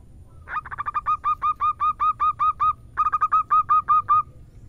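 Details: Local zebra dove female calling to the male, giving two bursts of rapid, clipped cooing notes, the first speeding up then settling into an even rhythm, a brief pause, then a second fast run of about ten notes.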